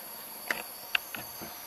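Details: Red-capped Manakin on Pipeline Road, Panama, 29 April 2015, giving four sharp, dry snaps and clicks about every half second, over a steady high insect hiss.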